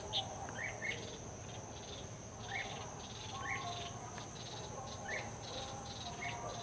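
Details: Decoy red-whiskered bulbul singing in late afternoon to lure wild bulbuls into a trap: short, sharp, rising whistled notes spaced about a second apart, over a constant high insect drone.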